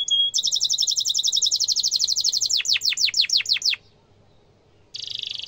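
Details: Canary singing a sharp rolling song meant for training young canaries to copy: a brief whistle, a long fast high trill, then a run of steeply descending sweeps, a short pause and a final buzzy rapid trill.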